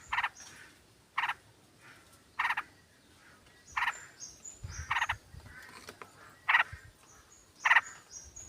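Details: Sooty-headed bulbuls calling in a flock, a female calling the male, used to lure birds. Rough chattering bursts come about once a second, mixed with thin high whistles and soft low thumps.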